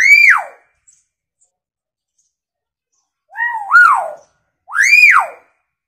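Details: Hill myna uttering loud, ringing whistles that fall sharply, then a two-part whistled phrase and another steeply falling whistle, with silent gaps between.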